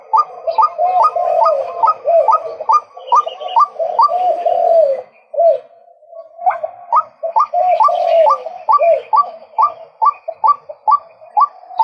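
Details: Male white-breasted waterhen producing a long chain of rising, croaky notes, over twenty in total, steady and rapid. There is a brief pause of about a second midway before the series continues.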